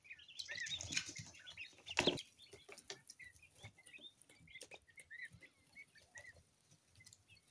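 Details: Loud rustling burst opens, then two-week-old coturnix quail chicks of mixed colours continue peeping, short high chirps scattered evenly to the end.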